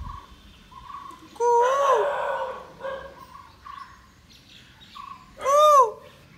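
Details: Indian peafowl in an Indian village: two loud, ringing, rising-and-falling wails, about four seconds apart, with short soft hoots before and between them.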